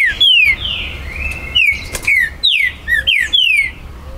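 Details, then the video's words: Green-winged saltator (trinca-ferro) at a breeder's premises, 19 September 2020. The song is meant to provoke territorial rivals. A continuous run of about nine loud, pure whistled notes, mostly sliding downward, some briefly rising. "ESQUENTE MUITO seu TRINCA FERRO"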